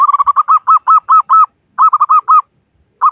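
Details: Local zebra dove with a big voice, played to prompt other doves to sing quickly: two runs of short, hooked cooing notes at a steady pitch, first quick then slowing and lengthening, with a fresh note starting at the end.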